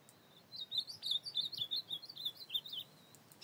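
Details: Ultramarine grosbeak singing at night in the field on 25 August 2024: a quick, high warbling run of short slurred notes, about a dozen in three seconds, over faint background hiss.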